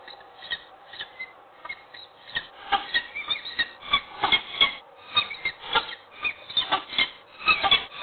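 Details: Peregrine falcon calling at Wołomin in the morning around mating, beginning with scattered soft notes, then building into a loud, rhythmic run of harsh, clipped cackling calls repeated several times a second.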